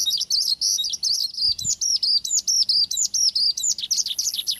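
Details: Male Javan bush lark singing actively, used as a lure to prompt another lark to answer. A rapid string of high, thin whistled notes gives way to evenly repeated rising-then-falling slurred phrases, about ninety a minute.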